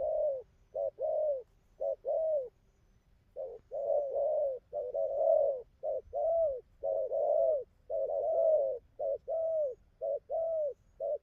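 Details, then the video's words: Spotted dove with just enough neck spotting, praised for its machine-like outer song and good cooing. A long run of mellow, low coos alternates short and drawn-out notes, with a brief break near the start, then continues steadily. "Thổ vừa đủ cườm,bài ngoài như máy,nước gù tốt"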